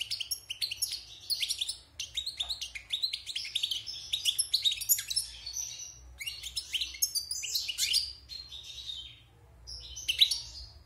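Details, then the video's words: European goldfinch, wild bird caged after moult, in sustained song: a long jumbled stream of high twittering chirps, buzzy rattles and slurred notes, briefly pausing near the end. "Chant de Chardonneret sauvage (Repassage)|غناء حسون خلوي خارج من تغير الريش"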